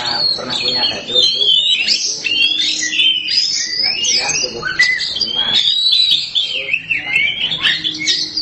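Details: Black Oriental magpie-robin singing energetically: a dense, continuous run of high whistled and scratchy phrases, rising and falling slides, with a man's voice talking underneath.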